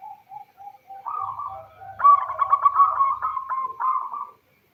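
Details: Zebra dove female calling the male, a lure for local perkutut males; soft low coos swell into a loud, rapidly pulsed rolling phrase that ends abruptly.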